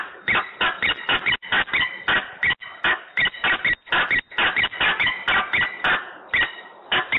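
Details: Peregrine falcon kicking up a fuss at 14:22 on 15 November 2020 in Włocławek, Poland; loud, scratchy calls given in short bursts separated by brief gaps, each note harsh and slightly wailing.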